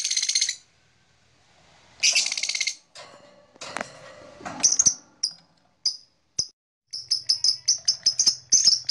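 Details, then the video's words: Blue black-masked lovebird with harsh buzzy squawks and scattered clicks, then a quickening string of short high chirps. "Beautiful Lovebird Long Chirping Sound - Blue Black Masked Lovebird"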